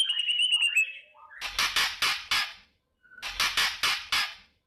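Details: White-rumped shama in the morning, used to stir a fighting mood: a short high whistled trill, then two groups of four harsh, noisy rasping bursts.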